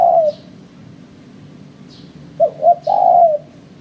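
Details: Spotted dove used as a lure in bird trapping: the tail of one long coo, a pause, then a full phrase of two short coos and a drawn-out coo; faint high chirps from other birds.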